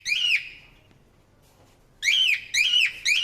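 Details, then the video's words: Parrot chirping indoors: a single bright, harmonic chirp, a pause of over a second, then three quick rising-falling chirps about half a second apart, with a quiet room background. "super cute parrot chirping sound"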